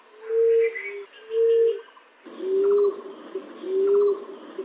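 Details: Lure call for catching a colony of green-winged pigeons, zebra doves and ground pigeons: two low, steady, hollow coos about a second apart, then after an abrupt cut two slightly rising coos over a hissy background.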